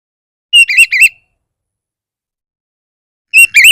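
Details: Oriental magpie-robin singing 'bar bar' style to provoke others: short phrases of a level whistle followed by two wavering, warbled notes, repeated after a long silent gap.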